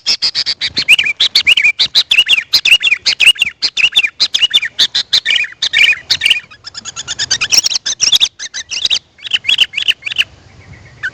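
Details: Sooty-headed bulbul calls played to attract wild birds. Dense, rapid bursts of bright chirps and warbled notes run almost without pause, with a brief quieter stretch near the end.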